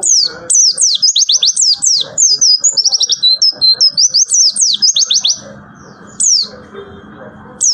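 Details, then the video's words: White-eye (pleci) singing in the rapid tembakan style: a fast burst of high, sharply swept whistled notes for about five seconds, then a few isolated high notes over faint low background rumble. "Tembakan Pleci"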